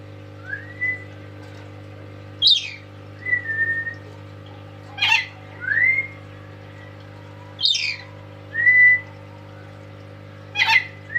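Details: A loud, tame lory alternates clear rising whistles with short, harsh screeching bursts. The pairs repeat about every two and a half seconds, over a steady background hum.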